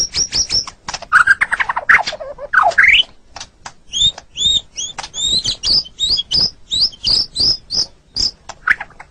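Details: White-rumped shama (murai batu) song used as a master recording for training competition songbirds: fast varied phrases, rising slurred whistles, then a long run of crisp repeated high double notes at about two per second.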